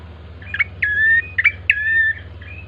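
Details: Two pairs of notes from a bar-winged prinia, meant to lure birds into singing: each pair is a sharp chirp leading into a drawn-out, flat whistle, with a constant low hum behind.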